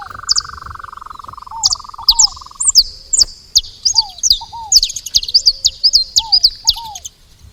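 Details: At a feeder, saffron finches chatter in bright, high, downslurred chirps that grow denser and faster toward the end; a steady buzzing drone fills the first three seconds and lower falling whistles recur.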